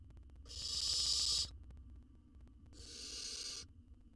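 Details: Nestling owl in a wild nest box monitored for research in Israel, swallowing a jird, utters two harsh hissing screeches about a second each, the first stronger, over low hum.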